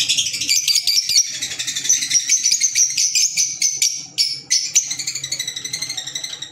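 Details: Green Fischer's lovebirds, African lovebirds, producing fast rattling chatter of rapid, high, buzzy pulses, running steadily with a brief dip near the middle.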